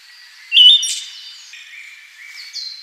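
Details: One Siberian thrush phrase: a bright, abrupt note with a long, thin, high whistle fading behind it, then soft higher notes near the end.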